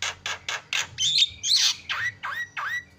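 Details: Javan myna lure call to provoke other birds into calling: four harsh rasping bursts in quick succession, a jumbled squawk, then three downward-swooping whistled notes.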